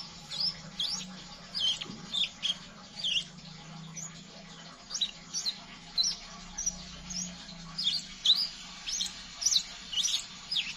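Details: Ngeriwik calling of a scarlet minivet, meant to coax young birds into singing: a steady run of sharp, high chirps repeated about twice a second, some dipping or rising, above a soft low drone.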